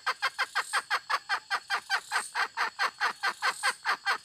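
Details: A hen gives a rapid, fairly even series of short harsh clucks, roughly two to three a second, with a faint high steady hiss in the background.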